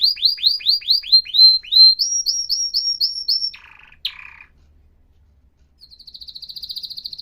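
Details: Canary song of clear whistled tours: a string of quick upslurred notes, then a higher run of even repeated syllables, a brief lower buzzy rattle, a pause, and a soft rolling trill starting up.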